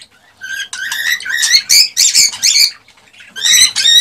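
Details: Male cockatiel in excited mating song: a string of clear, warbling whistles stepping up and down in pitch, a short pause, then a final long rising whistle.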